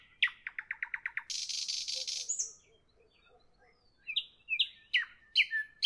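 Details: Nightingale singing in the evening: fast repeated piping notes, then a dense buzzy trill, a pause with faint low clicks, and whistled notes sliding downward.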